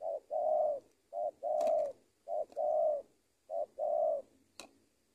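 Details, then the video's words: Spotted dove (tekukur), a trained lure bird. It repeats low two-part coos, a short note followed by a drawn-out steady coo, three phrases roughly every 1.3 seconds, with a couple of faint clicks. "AJARAN PIKAT TEKUKUR SI BONGSOR KETEMU BL RAJA NGUKU"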